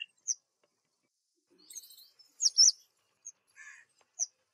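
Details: Black drongo in spring gives a scattered run of sharp, high chirps, a loud metallic twittering burst and some scratchy lower notes, over a quiet background.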